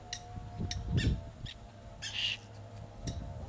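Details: Black-naped tern at its breeding rocks on a reef off Ishigaki Island, Okinawa, Japan, giving short, harsh, high calls in quick bursts, scattered through the clip, over low rumbling background noise.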